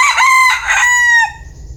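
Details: Bantam rooster crowing: one short, hoarse, harmonic crow lasting about a second, steady then dropping slightly at the end, with a low background rumble.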